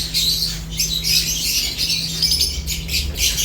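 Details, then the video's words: A brief burst of lovebird chirping while they eat, shrill, raspy notes running together without pause, over a low steady hum. "Lovebirds unique colors eating and chirps sounds"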